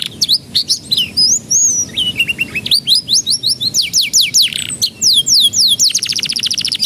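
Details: Domestic canary in full song, meant to prompt young canaries to sing early; long stream of varied high whistled notes and sweeps, ending in a fast, even trill repeated many times over the last second.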